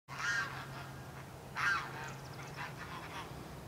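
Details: Geese calling at Burroughs Park: two loud, harsh honks, one at the start and another about a second and a half later, followed by fainter calls against a steady low hum.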